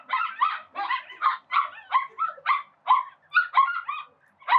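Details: Call ducks (domestic duck, Anas platyrhynchos domesticus) at a spray pool quacking: loud, harsh, nasal bursts, about two to three a second, in a steady chattering run with no other clear sounds.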